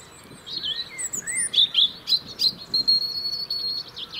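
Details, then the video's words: European robin in the UK singing to keep its winter territory: a varied, liquid phrase of high whistles, sliding notes and quick twitters, ending in a thin, fast trill. "Beautiful song of Robins"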